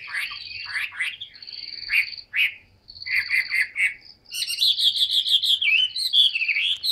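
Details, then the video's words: Large tame Chinese hwamei kept in a cage sings bursts of clustered notes separated by brief pauses, then breaks into a sustained rapid run of bright, buzzy-edged whistles. "HM 269 bộ to thuần đét hót rất nhiều"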